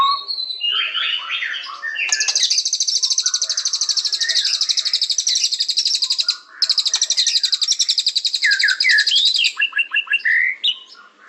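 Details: Murai batu, the white-rumped shama, in full song: varied whistled phrases, then a dense, buzzy, very fast trill lasting several seconds with one brief pause, ending in quick descending whistled notes.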